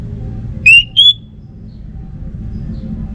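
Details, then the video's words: Two short clear whistles from an orange-headed thrush, the second higher, followed by steady low rumbling background noise. "Burung ANIS MERAH Lansung Nyaut Gacor Tanpa Henti"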